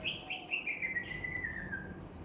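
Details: Common hill myna, a bird known for talking, saying assalamualaikum and coughing like a human, gives one long clear whistle that slides slowly downward for about two seconds, ending with a brief higher note.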